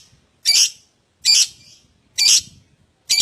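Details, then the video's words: Lovebird calling as a lure to prompt other lovebirds into ngekek chatter: three loud, harsh, high-pitched shrieks less than a second apart, with short silences between them. "Pancingan Love Bird Agar Cepat Ngekek"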